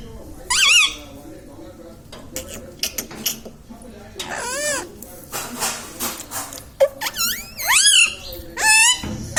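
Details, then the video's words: Pet Indian ringneck parrot talking, saying words such as mummy, papa and radhe radhe; a sequence of clipped, speech-like syllables and sharp, rising-then-falling whistled squeaks, interspersed with quieter sounds. "indian ringneck parrot talking video"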